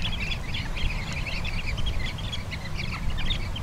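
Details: Sanderlings (Calidris alba) on the beach at Bañugues, Asturias, give short, sharp twittering notes in quick scattered bursts, several birds calling over a heavy low rumble of wind and surf.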